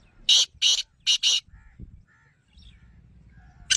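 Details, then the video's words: Black francolin calling, used to get a captive bird to answer: four loud, harsh, grating notes in quick succession, then faint low background noise and a final sharp note. "Black Teetar Voice/ Kalay Teetar Ki Awaz/کالے تیتر کی آواز/کالے تیتر کو بلوانے والی آواز"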